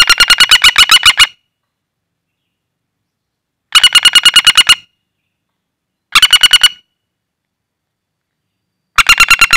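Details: Wild common flameback call used for luring birds: bursts of rapid, evenly spaced sharp notes, about a dozen per burst, each burst lasting roughly a second, separated by silent gaps of one to two seconds.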